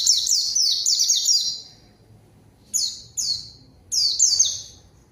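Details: Lure song of a white-eye for provoking rivals and silent birds: a long rush of high descending notes, then a pause and several separate short chirps.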